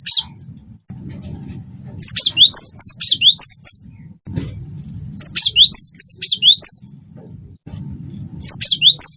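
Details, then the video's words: Vigorously singing cinereous tit of the wingko type, used to prompt other birds to sing: high, looping whistled phrases repeated in quick runs of about six notes, with pauses between runs and a faint low hum behind. "gelatik batu wingko gacor masteran burung gacor"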